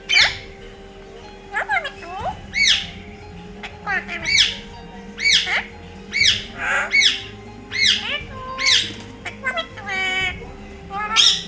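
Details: A pet talking parrot utters harsh, raspy squawks and speech-like phrases in short bursts every couple of seconds, over a steady low hum and faint music.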